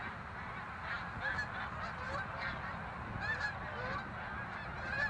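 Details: Snow geese on migration, a flock chorus in which distinct short nasal yelps repeat irregularly over a softer background of many distant honking birds.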